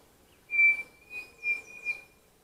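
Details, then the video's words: A pavonine cuckoo (Dromococcyx pavoninus) on a foggy morning in forest at Bozano, Rio Grande do Sul, Brazil, gives a short run of about four clear, high whistled notes over two seconds, with faint higher chirps from other birds behind. "Registrando o Peixe-frito-pavonino"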